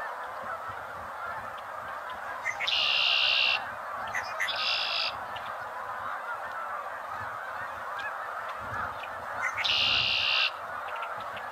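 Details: Red-winged blackbird repeating its song three times: short lead-in notes and a grating buzzy trill of about a second each time, spaced a few seconds apart, with a continuous hissing background.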